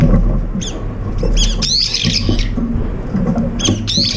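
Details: Brown-eared bulbuls, up to five at once, gathering for a long-awaited morning meal, sharing food but also squabbling and pecking one another; a few sharp, high squealing notes with bent, rising-falling strokes over a steady low rumble.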